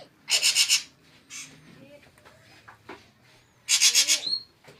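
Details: Drongo giving two harsh, rasping bursts of rapid pulses, each about half a second long, roughly three seconds apart. Faint short whistles and soft background noise fill the gap between them.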